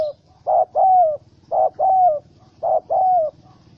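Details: Spotted dove, wild bird caught in a trap with small rope, angry, recorded 04/07/2017; three paired coos, each a short note then a longer falling slurred coo, repeated about once a second, faint low hum beneath.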